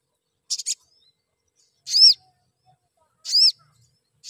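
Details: A crimson sunbird gives a quick double tick, then two full, arched, high-pitched chirps. The sound is offered as a lure that makes other sunbirds sing more, and it is heard over a quiet background.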